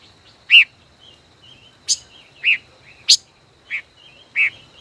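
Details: Five-colored bird in a song duel, a caged decoy of over a year: loud chips alternating with higher sharp notes, soft wavering whistles filling the pauses.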